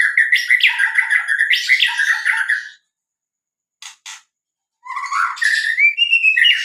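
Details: White-rumped shama, a territorial songbird that borrows other birds' phrases, in a lure recording for captive birds: varied warbled and whistled phrases with chattery notes, broken by a silent pause, then a rising whistled phrase.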